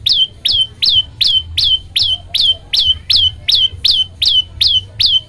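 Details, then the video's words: Olive-backed tailorbird song played as a tutor to get other birds singing: a steady series of about thirteen high, piercing notes, each a sharp downward flick ending in a held tone, repeated roughly twice a second over a low hum. "masteran prenjak lumut bikin semua burung ikut bunyi"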